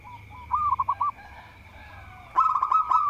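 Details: Local zebra dove, a lively singer said to draw rivals into singing: a medium phrase of bouncing rolled coos, a quieter pause, then a louder fast bubbling run, accompanied by a continuous thin high tone.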